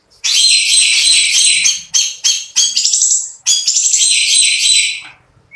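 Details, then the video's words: Long-tailed shrike delivering loud 'tembakan roll speed' shots: long, harsh, buzzy high bursts, several in a row with brief breaks, ending with a short thin note. "BURUNG CENDET GACOR MEWAH ISIAN KASARAN DAN TEMBAKAN ROLL SPEED"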